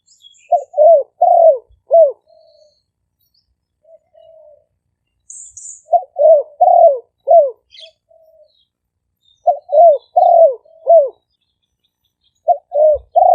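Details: Two caged decoy spotted doves of Malay and 'phat phon' styles, sometimes calling together, recorded live with a smartphone in Roi Et, Thailand. Phrases of about five low coos repeat roughly every four to five seconds, with quiet single notes between them.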